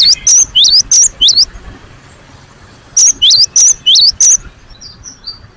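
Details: Cinereous tit in full song, giving repeated high whistled couplets in two bursts of five or six notes, with a few faint distant chirps near the end.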